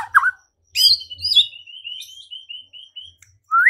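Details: White-rumped shama song played to provoke fighting and singing, a loud slurred note, then a long series of thin high whistles in steady sequence, ending with a rising whistle.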